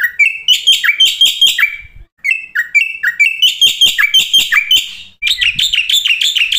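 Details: Varied song of a black-winged starling, used as a tutor recording to coax other starlings into song. Short whistled slurs are mixed with bursts of rapid scratchy chatter, with two brief pauses between phrases.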